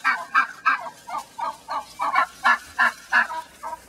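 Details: Angry domestic hen, recently returned to the main pen after being attacked by other hens, calling from inside a chicken-wire enclosure: a steady series of harsh, turkey-like squawks repeated about three times per second.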